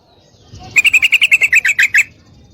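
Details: Female Yellow-vented Bulbul calling a male to mate: a burst of about twelve sharp, evenly spaced chattering notes lasting just over a second, with a faint low background hum.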